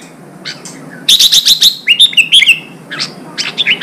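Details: Red-whiskered bulbul song, from a newly caught bird being stimulated to sing for contests: a fast rattled series of high sharp notes, then clear whistled phrases with rising and falling slurs, then softer chirps.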